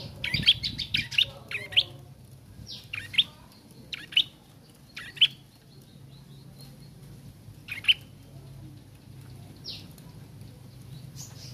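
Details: Young bar-winged prinia learning its song. A fast cluster of sharp chirps opens, then single high notes come at scattered intervals of about one to three seconds over a low rumbling background.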